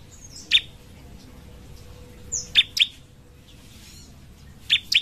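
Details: Sunbird song used as a master recording for training songbirds, noted for its loud, ringing voice and characteristic sharp bursts: scattered high, piercing chirps and short notes in pairs and triplets, separated by pauses, over a low background hum.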